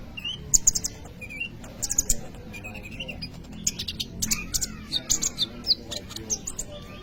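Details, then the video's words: Kolibri ninja sunbird in full, lively song, used as a lure for training other birds. Scattered sharp high ticks and short twittering notes spread through the stretch, over a steady low background hum. "kolibri ninja gacor cocok untuk pancingan atau maateran burung bahan"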